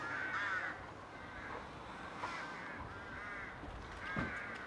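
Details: Rooks displaying in their colony, a string of hoarse, nasal caws from several birds, one nearby and others farther off, over a constant noisy background.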